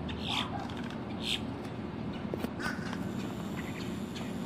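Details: Female Boat-tailed Grackle in song, October 2023: two bright, harsh high notes about a second apart open the passage, followed by softer scattered calls, against a constant low rumbling background.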